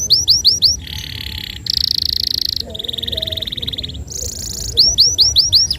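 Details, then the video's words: A vigorous canary sings long 'nembak panjang' phrases, suited as a model for young canaries: curling whistled notes alternate with sustained buzzy trills at shifting pitches, and the curled whistles return at the close. "Suara burung Kenari Gacor Nembak Panjang"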